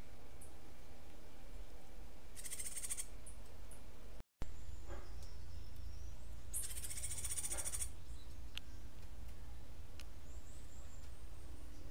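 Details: Cuban grassquit delivering martillito-style song, two high, rasping buzzy trills several seconds apart, the second longer, with a few faint thin chips, a brief dropout and an ever-present low hum.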